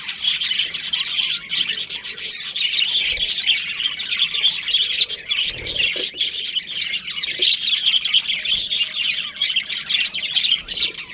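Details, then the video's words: A colony of budgies keeps up a steady, crowded chorus of sharp high chirps and short warbles, many birds calling at once with no gaps. "Cute Budgies Chirping Sounds"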